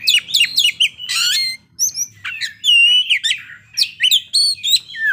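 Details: Loud, varied singing from an Oriental magpie-robin unloading its fill-in repertoire, mixing quick staccato chips, a harsh rasping burst and clear slurred whistles in short phrases.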